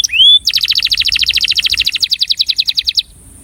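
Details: Male breeding canary singing an attraction song: one rising whistle, then a rapid, even trill of short high notes lasting about two and a half seconds, ending abruptly.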